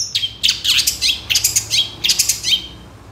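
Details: Long-tailed shrike in moult, singing actively, recorded as a lure to provoke captive shrikes into song: rapid bursts of high, scratchy chirps and short downslurred whistles, several clustered notes per second, with no other sounds.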